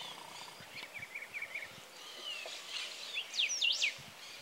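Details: Greater yellowlegs at the Escuela Alberdi reserve, Oro Verde, Entre Ríos. A loud burst of sharp, downslurred whistles comes near the end, after a softer run of quick repeated chirps. Other birds twitter faintly in the background.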